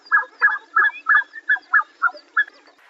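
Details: Black-necked Swan uttering a quick, even series of about nine soft, nasal, honking notes in under three seconds, then fading out.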